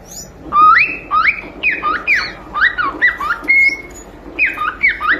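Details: Pet cockatiel chick singing to entertain a companion bird: a lively run of rising whistled notes that swoop upward and fall back, repeated quickly with brief breaks.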